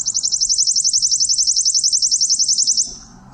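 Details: Worm-eating Warbler, a breeding bird rare in Michigan, played from a device as a distant, very quiet song: a dry, high, insect-like trill of rapid even pulses lasting about three seconds, over a faint low hum.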